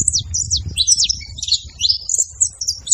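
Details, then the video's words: A group of saffron finches making noise: scattered high, thin chirps and quick downslurred notes from several birds, with a soft low background hum. "muito canário da terra fazendo barulho"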